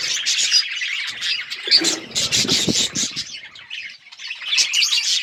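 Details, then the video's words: Budgies chirp and squawk in a loud mixed chorus of high buzzy notes, with some lower knocking or rustling sounds midway and a brief quieter moment. "Budgies parrot beautiful colour budgies chirping sounds"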